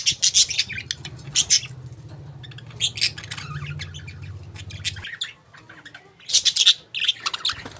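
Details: Budgies chirp in loud clustered bursts of sharp, high squeaky notes, broken by quieter gaps, while a low droning hum runs through the first five seconds.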